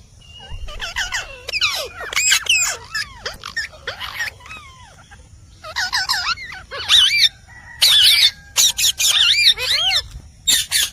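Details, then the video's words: Talking Indian parrot (rose-ringed parakeet): a long, lively stream of warbling, bending squeals and chatter mixed with harsh broadband screeches, growing louder and denser toward the end. "Indian Parrot Talking Natural Sounds"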